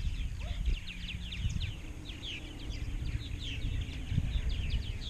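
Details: Purple martin colony in Rainsville, Alabama, home to roughly 920-930 pairs in 2016. Constant overlapping chirps and twittering notes come from many birds over soft background hum and wind.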